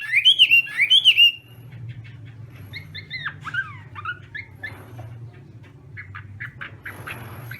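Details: Chinese hwamei singing in the morning as voice practice, in a competitive singing style: a loud burst of rich, slurred whistled phrases for about a second and a half, then scattered quieter chips and notes over a steady low hum.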